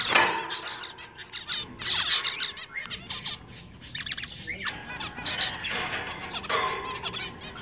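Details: Several pet-shop zebra finches, with males singing a little, give bursts of buzzy nasal meeps and rattling phrases, with rustling and wing flutters between them.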